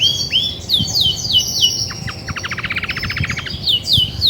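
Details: Grey-and-white female Belgian canary that sings a lot when ready to brood, a mother of many chicks; high downslurred whistles give way to a rapid buzzy trill mid-clip, then more sharp falling whistles.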